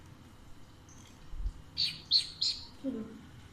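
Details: Pet Alexandrine parakeet, described as playful, intelligent and talkative, said to talk in Urdu/Hindi. Here it gives three quick, harsh, high chirps in close succession midway, followed by a soft low sound near the end over quiet room noise.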